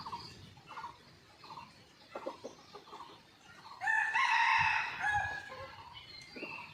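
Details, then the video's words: Red junglefowl very active after a morning storm, seen by a hidden camera: soft rhythmic clucking and chirping notes lead into a single loud rasping crow, then quieter calls resume. "ตั้งกล้องแอบชมไก่ป่า หลังพายุเช้านี้คึกมาก!!"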